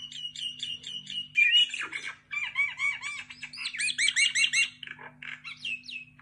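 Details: Common myna singing: a varied run of harsh squawks, chattering notes and clear whistles, with rapid repeated chirps and sliding whistled phrases, over a steady low hum.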